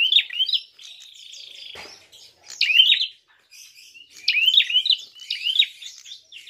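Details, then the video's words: Prinia fighting call, used as a lure to provoke other birds: bursts of sharp, high chirps with rapid up-and-down notes, a steady buzzy tone between bursts, and a short click near the middle. "Untuk PANCINGAN! Prenjak tarung gacor!!"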